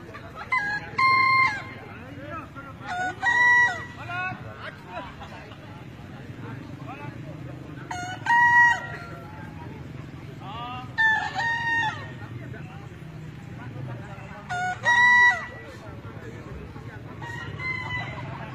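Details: Bekisar crowing contest in Solo, 7 May 2017, top-five final: several birds crow in turn in short, ringing bursts over a murmuring crowd.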